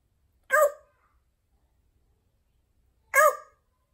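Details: Pet female parrot, adopted a couple of months earlier and kept indoors, gives two short harmonic squawk-like calls about two and a half seconds apart, with silence between.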